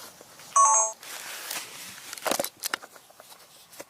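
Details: A telephone rings briefly indoors, followed by scattered knocks and handling noises, with no animal heard.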